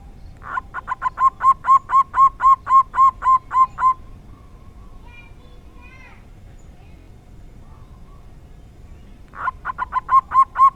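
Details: Rare 'dor tak kowor kowor' song from a local zebra dove: a long evenly spaced string of about fourteen bright, ringing coos, several quiet seconds with faint background sounds, then the series starts again.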